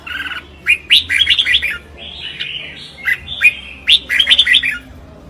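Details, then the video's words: Red-whiskered bulbul in competitive singing, delivering bright warbled phrases of quick rising and falling whistled notes in bursts, with a short pause midway and a low background hum. "Tiếng chim Chào Mào | The sound of Pycnonotus jocosus"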